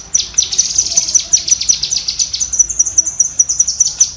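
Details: A cucak kinoi bulbul's shooting-style chatter, meant for tutoring caged birds: quick, evenly repeated sharp high notes, slightly rising in pitch toward the end, with no other sounds.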